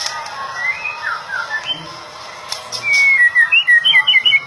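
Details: Young white-rumped shama (murai jambi) starting with soft, slurred whistles over faint background noise, then breaking into a loud run of rapid, clear whistled notes, repeated quickly.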